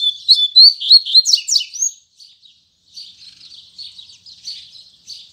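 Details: Morning song of a double-collared seedeater in the 'tui tui zel zel' style. A loud phrase of rapid whistled and buzzy notes opens the song, then a pause, then softer scratchy twittering that continues at a steady pace.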